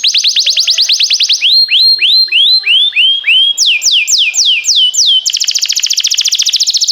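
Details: Canary, a singing bird used to train other canaries, timbrado style: fast trilled phrases, rapid high notes, then rising looped whistles, falling sweeps and a dense buzzy trill at the end.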